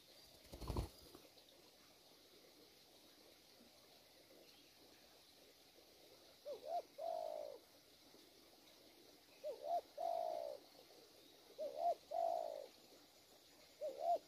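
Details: Spotted dove, a wild-caught bird, heard faintly at a distance: three soft rising-falling coo pairs spaced a few seconds apart, over a steady hiss and one sharp knock at the start.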